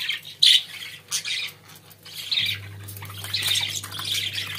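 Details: Budgerigars at home giving scattered raspy squawks and short chirps, louder at first then a softer ongoing chatter, while a low electrical hum rises in the background.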